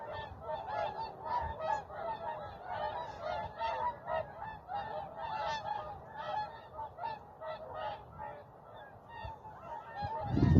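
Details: Whooper swans calling on Vandjala lake, Maardu, Estonia, early morning 12 November 2023 before ice and frost; many nasal trumpeting honks repeated in bursts, overlapping birds, a brief low thump at the close.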